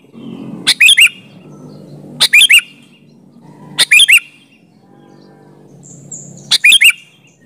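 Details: Lively sooty-headed bulbul song for luring other bulbuls into answering: four brief bubbly phrases of quick rising and falling notes, spaced about every one and a half seconds, above a soft low rumble.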